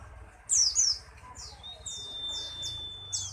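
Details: White-eye singing: bursts of high, thin, sharply descending chirps, partly overlapping, with a steady faint whistled tone running beneath for over a second.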